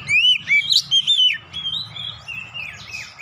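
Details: Kacer in an excited state unloading its 'isian', played to make other birds sing: a few loud, pure rising and falling whistles at the start, fading into softer, drawn-out warbles over a steady low hum.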